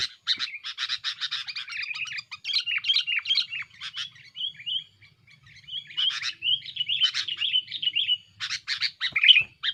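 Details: Sooty-headed bulbul singing an aggressive, noisy song meant to pressure rivals, used as a lure for wild birds: bursts of chattering notes mixed with short liquid whistled phrases, continuing without long pauses.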